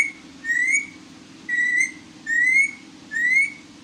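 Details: Pet talking parrot repeating a clear, slightly rising whistle four times in under four seconds, each note about a third of a second long and evenly spaced, over a steady low hum.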